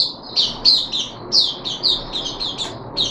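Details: Caged puff-backed bulbul, third day of worm treatment, July 2021: quick bursts of high, downslurred chirps, each sharp note falling in pitch, given in an irregular rapid series.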